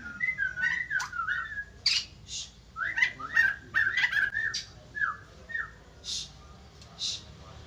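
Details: Softer passage of white-crested laughingthrush song that gets other birds responding: descending whistled slurs and chattering notes, with a few separate hissy bursts near the end.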